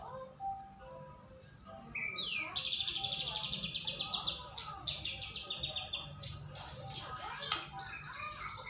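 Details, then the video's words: Luring song of white-rumped shama for getting a bird to sing, opening with a long, high, rattling trill that drops in pitch, followed by bursts of sharp whistles and rapid trilled notes. "Pancingan burung murai batu agar bunyi"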